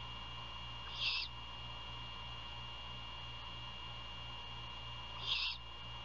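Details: Great horned owl at its nest near Savannah, Georgia, at 1:38 AM on 27 February 2022, prey handover and feeding, recorded by nest camera; a pair of harsh breathy screeches about four seconds apart, steady hum behind.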